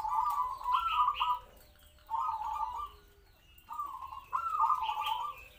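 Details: Local zebra dove kept in a small open cage as a trapping decoy, singing so wild big-voiced doves approach; loud burry trilled coos delivered in bursts of about a second, separated by brief quiet gaps.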